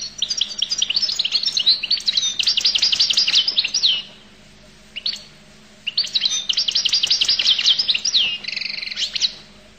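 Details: Goldfinch from Collo pouring out long runs of high, jingling twitter and trills, pausing a couple of seconds with a single chirp, then continuing with buzzy rattling phrases.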